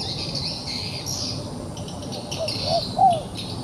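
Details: A trapped wild pigeon, still fighting, gives three quick low hooting notes late on, the last one loudest. Dense high-pitched insect droning fills the background.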